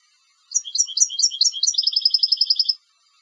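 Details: A competition European goldfinch sings a quick, high tinkling phrase of bright twittering notes that speeds into a rapid, even trill, about two seconds long.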